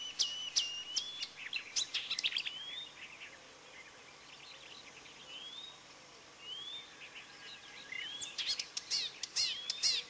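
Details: Spotted crake recorded 7 June 2010: short, rising whiplash whistles repeat irregularly through the middle, with dry chattering songbird notes at the start and end.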